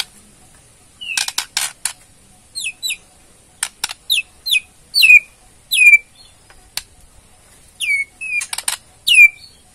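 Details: White-rumped shama from Borneo: scattered sharp clicks and short high whistled notes that slur downward, given in pairs and singles with gaps of about a second.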